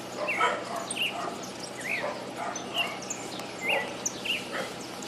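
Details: Pale-breasted thrush singing in the city with people and dogs around: a series of short whistled phrases, rising and falling slurs about every second, with faint softer notes and low murmuring behind.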